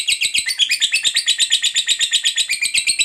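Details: Fighter lovebird producing ngekek chatter, a sound used to encourage silent lovebirds to sing; brisk, piercing notes, about six per second, strongly pulsed and unbroken.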